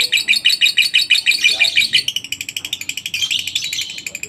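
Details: Lovebird ngekek lure song for encouraging other lovebirds to sing: strong, squeaky chatter at first, easing into a softer but steady run of quick repeated notes.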